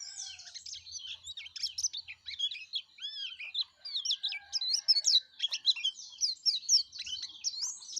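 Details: A yellow-breasted white-eye sings vigorously: a long, unbroken string of high, quick chirps and slurred warbling notes lasting eight seconds, varying in loudness.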